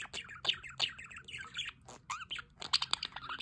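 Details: Aviary budgerigars near a solar water fountain keep up a dense, twittering warble of short chirps, clicks and squeaks, layered and overlapping with no pause.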